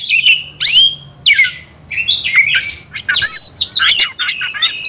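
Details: Heated white-rumped shama calling for a rival: loud sweeping whistles, upward and downward slurs and scratchy notes in quick succession, dense and energetic throughout.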